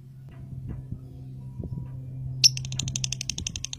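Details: Lovebird from a bird farm collection, acting erratically and giving a ngekek chatter while shaking its head: after quiet low rumbling, a sudden sharp note starts a rapid, evenly spaced run of high buzzy clicks, about ten a second.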